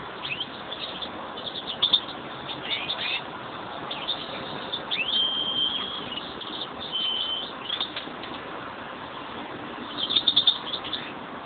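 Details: A kept pair of European greenfinches; scattered high twitters, a drawn-out level whistled note held for about half a second, then a final fast chirping burst, all over steady muffled hiss.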